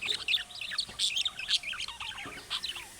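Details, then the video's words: Budgerigars chattering in the style of chick calls that other budgerigars answer: dense, rapid warbled chirps and squeaks with short bursts, continuous throughout. "MUHABBET KUŞU SESİ Kuşunuz Bu sese Karşılık Verecek Kuş Sesi"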